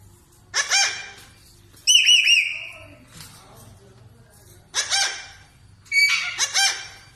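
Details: Parrot making bursts of harsh, harmonic squawks and a rippling whistled note, spaced by pauses of a second or more, with quiet background hum.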